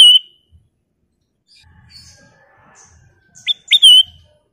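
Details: Black-crested bulbul, called kutilang emas, in active full song: a few bright whistled phrases rising to sharp slurred notes, separated by long quiet gaps with faint low rumble.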